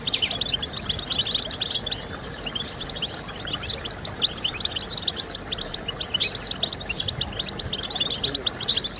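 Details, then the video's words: Goldfinch singing, intended to spur other goldfinches into song; busy, jangling high twitter with bursts of rapid trilled notes and a constant hiss in the background. "Stimulating Birds with Goldfinch Sounds"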